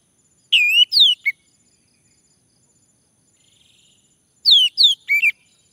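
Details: Male orange-headed thrush singing to coax others into song: two phrases four seconds apart, each of two or three slurred falling whistles ending in a short dip, with a faint soft note between.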